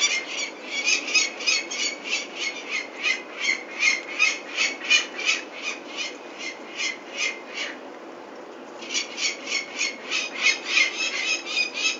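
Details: Peregrine falcons at Venlo on 21 May 2024 as the chicks are fetched for ringing: harsh, high scratchy calls repeated about three times a second in a steady chain, a brief pause near the end, then the calling resumes.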